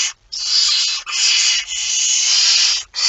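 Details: At 01:49 on 17 September 2019, a barn owl holding a mouse gives long, almost unbroken harsh hisses, three drawn-out rasping bursts separated by brief gaps.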